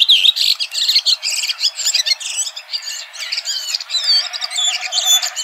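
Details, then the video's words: Red-throated thrush (Turdus ruficollis), a dark-throated thrush, singing a fast, varied run of high whistles, chirps and squeaky twitters that tumble on without pause. "Red Thrush Singing"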